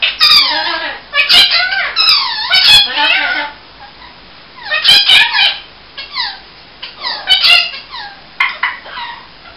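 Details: Ring-necked parakeet talking indoors: loud bursts of scratchy, squeaky mimicked speech in short phrases with falling and rising tones, separated by brief pauses.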